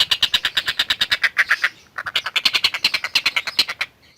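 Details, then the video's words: Long-tailed shrike masteran song, the bird singing vigorously: two runs of rapid, scratchy, squawking notes at about three per second, the first dropping slightly in pitch, separated by a brief pause. "Burung Masteran Tengkek Buto Gacor"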